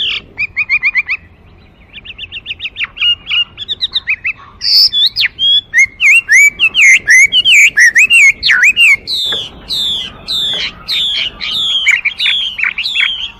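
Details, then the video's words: Chinese hwamei singing a varied, loud whistled song: repeated clipped notes at first, then fast series of rising and falling slurred whistles delivered in quick succession. "画眉鸟的声音 The Voice of a Thrush"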